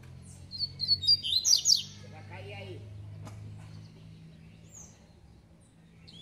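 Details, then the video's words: Spirited double-collared seedeater in the tui tui song style: a rapid high phrase of thin whistles and sharp chirps lasting about a second and a half, followed by low hum and a few faint notes. "COLEIRO TUI TUI (REI NEGRO)"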